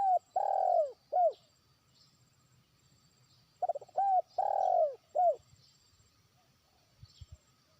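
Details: Spotted dove kept as a trained decoy, calling toward a distant rival. The tail of one phrase is followed by a complete one of stuttered notes, a short coo, a long bowed coo and a clipped last coo. Faint low thumps follow.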